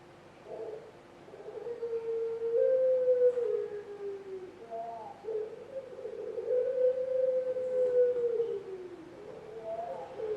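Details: Competition-winning puter pelung dove kept at a breeding farm in Pakisaji, Malang, Indonesia, giving its long-voiced pelung song: deep, drawn-out cooing notes that swell and slowly fall, each held for seconds, repeated with short breaks.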